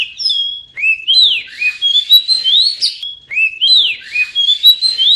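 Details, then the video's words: Oriental magpie-robin song meant to get silent birds singing: sweet rising and falling whistles linked into flowing phrases, the pattern recurring about every two and a half seconds. "Kacer pasti nyamber dan gacor klo dengar ini"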